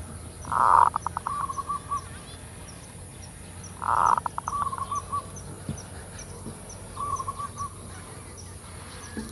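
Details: Zebra dove calling in the full kerot lure style: two loud gravelly bursts about three seconds apart, each followed by quick pulses and a short run of soft coos, plus a quieter phrase later.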